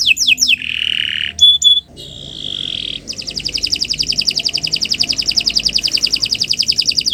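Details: Canary in full song as a tutor for other birds: a few downward sweeps, a steady held tone and a harsh buzzy stretch, then a long rapid high trill.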